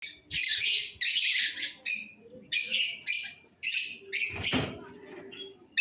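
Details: Cobalt masked lovebirds, a blue colour form, giving harsh, buzzy, high-pitched chattering calls in short bursts of about half a second, repeated rapidly with brief gaps.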